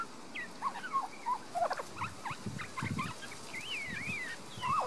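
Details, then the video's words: A resident young Australian magpie in a garden in Queensland, Australia, sings a varied, rambling medley of short warbles, yelps and rising whistled slurs, with some soft low notes mixed in, over light background noise. "Young Magpie's beautiful song"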